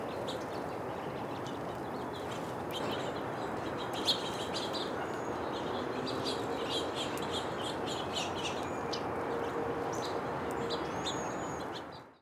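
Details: House finch calling with rapid, uneven chirps and occasional thin whistled notes over a continuous rushing background; sound fades out at the end.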